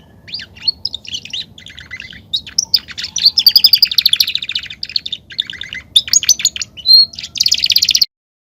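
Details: Belgian canary male in full song, played to warm up other canaries. Continuous varied trills and rolls build into fast, loud rattling passages, with a clear whistled note near the end.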